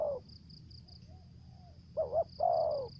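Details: Lure spotted dove from Trà Vinh, Vietnam, in 'thổ dế' voice with 'dập' and 'mai rừng' style: the tail of one coo, then a doubled note and a long falling coo, with a high pulsing whine and low hum.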